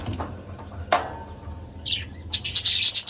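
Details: A pet pair of budgerigars gives a quick burst of high, scratchy warbling chirps in the last second, after a sharp knock, over a low steady hum.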